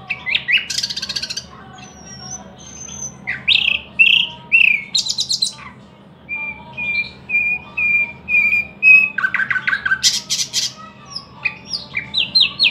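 A thrush nightingale sings a loud, varied song of dry rattles and clicks, rich churring phrases and a run of evenly repeated piping whistles.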